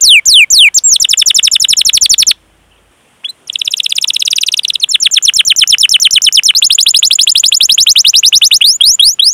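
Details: Canary giving long, continuous rolling song with chirps, used as a lure to prompt young, untrained or non-singing canaries to sing; fast, high rattling trills and rapid downward-sweeping notes, about four per second, broken by a one-second silence early on.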